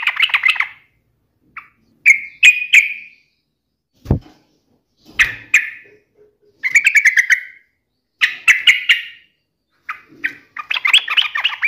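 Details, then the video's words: Yellow-vented bulbul challenging a rival, giving a series of short bubbly, warbled bursts separated by pauses, with one dull low thump midway and a fuller tumbling phrase at the close. "trucukan gacor MELEDEK LAWAN ini sangat ahli membuat agar trucuk gacor NYAUT EMOSI"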